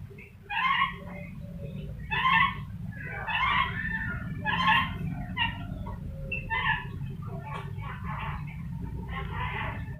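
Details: Rainbow lorikeet copying a chicken for a training recording: repeated harsh, nasal cackle bursts about every second, fading into softer clucks, with low background hum.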